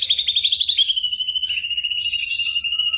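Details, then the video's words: Ashy drongo mimicry used to train songbirds like the white-rumped shama while moulting: a quick pulsing trill slides into a long steady high whistle, joined near the end by a brief hissy burst. "burung masteran srigunting abuabu / saeran_abu"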